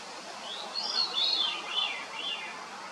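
Veery singing: airy, flute-like phrases spiralling downward in pitch, with a reedy, echoing quality, over a soft hiss of background noise.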